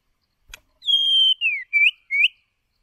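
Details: White-rumped shama decoy bird singing, used for voice training of other shamas; a sharp click, then a long level whistle, a falling slur and two short upswept whistles, clean and pure against silence.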